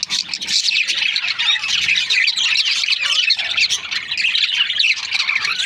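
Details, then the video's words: Budgerigars, kept in breeding pairs, keep up an unbroken stream of high chirps and scratchy warbling chatter from many birds together. "Budgies parrot chirping sound"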